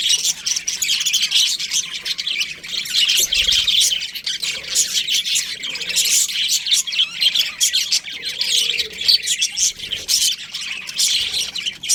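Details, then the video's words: Budgerigars chirping together in a colony, a dense, continuous chatter of high, scratchy chirps and squawks overlapping without pause. "Cute Budgies Chirping Sounds"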